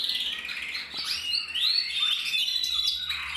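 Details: Singing male canary recorded in 2024: a continuous bright warbling song of rapid chirps, trills and sweeping whistled notes, with a few higher clear tones near the end and no other sounds.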